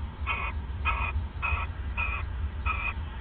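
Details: Owls at a nest, recorded on a live nest camera at 1:26 AM on 29 December 2014 during bonding. Five short, harmonic, raspy calls come about every 0.6 seconds over a steady low hum.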